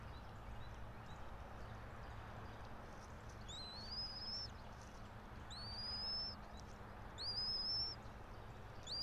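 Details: Nest camera on a bald eagle pair's pine-top nest, about 90 feet high, Johnson City, Tennessee, 04.03.2024, 06:28: after a quiet start, high piping whistles come in the second half, one every second or two, above a broad background hiss.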